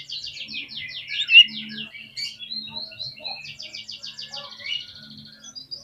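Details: Oriental magpie-robin (kacer) in an agitated provoking song: long series of rapid, buzzy repeated high notes in trilled runs, broken by brief whistled slurs, with a faint low hum underneath.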